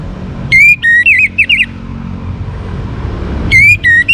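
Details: Young orange-headed thrush, Singaraja in North Bali, singing to set other birds singing: a busy run of jerky, varied whistles, then a pause, then two more whistled notes, over a persistent low hum.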